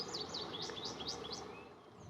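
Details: On a late-April (28 April) morning at Shawnee Prairie Preserve during spring migration, an American Goldfinch at the top of a tree sings a cheery spring song of about six sweet, high notes swinging up and down, over a steady outdoor hiss.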